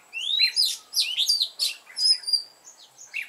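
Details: Lure red-whiskered bulbul singing a mountain-forest style song meant to provoke fighting song, with rapid, varied whistled notes, upward slurs and sharp downstrokes, interlaced with thin high steady whistles.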